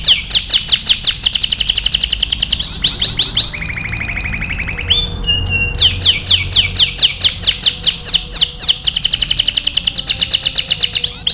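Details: Training song of a canary: long rapid trills of clicking high notes, a steady lower whistled tone, a short pause, then fast high trills resuming and running to the end.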